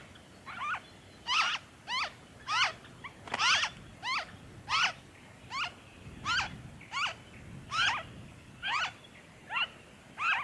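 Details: Noisy friarbird, Victoria, Australia, February 2023: a long series of about fifteen rasping, nasal notes, each with a quick bend in pitch, repeated roughly every 0.7 seconds, some closer and louder than others.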